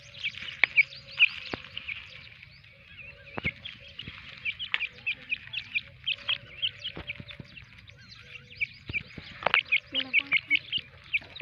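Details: Black francolin pair with chicks four days old; soft high peeping notes come in irregular clusters, with quiet lower tonal notes in between and faint background noise.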